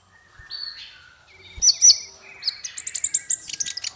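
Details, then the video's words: Masteran song for training small fighter birds. Thin, level whistles and short pulsed trills lead into a quickening series of bright, high twittering notes. "Masteran paling merdu untuk burung faigter kecil"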